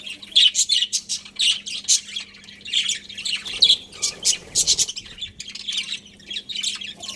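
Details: Many budgerigars in a colony giving rapid, repeated high chirps and harsh squawky notes in pulses about every half second, with a soft rustle midway and a constant low hum.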